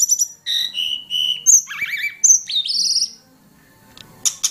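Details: Hill prinia lure call for songbird training: high piping notes and steady whistles, then wavering buzzy phrases and rising sweeps, followed by a quiet gap and two final sharp high notes.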